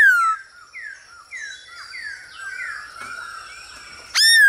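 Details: Male Black-throated Laughingthrush singing with a female's calls played to spur him, a recording for training birds to sing: a run of clear whistled notes slurring downward, repeated about every half second, closing with a loud sharp rising-then-falling whistle.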